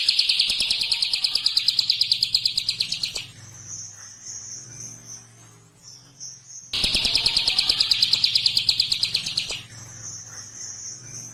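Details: Prinia calling to its companions: two bursts of rapid, harsh, buzzy chirps, each about three seconds long at roughly three notes per second, separated by a thin, high, wavering whine.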